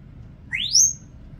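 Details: A 36-year-old female Congo African grey parrot, a household pet living with dogs, whistles when asked to bark: one sharp whistle sweeping steeply upward, then held briefly at a high pitch, in a quiet room.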